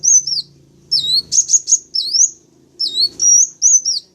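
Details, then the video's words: Sunbird calls played as a lure for wild birds, local kinds Kolibri Wulung, Kaca and Jentit. Thin, high whistles curl downward then upward, mixed with rapid chipping notes in three short bursts over a soft low hum. "Suara Pancingan Atau Pikat Burung Kolibri Wulung, Kaca, Jentit Langsung Respon"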